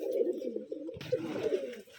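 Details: A Rajshahi, Bangladesh pigeon farm with gerebaj pigeons: a continuous low, bubbling coo fills the clip, joined midway by a rustling, clattering background noise.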